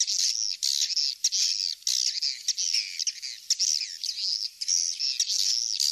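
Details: Swiftlet calling recording of the "kings star" style, played to attract swiftlets: dense, continuous high chirping twitters with short gaps, sweeping up and down in a busy chorus.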